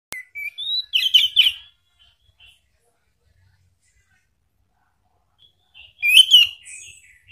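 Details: Orange-headed thrush lure song, a 'pancingan ngeplong' meant to make a kept bird answer: short whistled, warbling phrases near the start, a long silence, then another burst of bright, slurred notes with a fading tail.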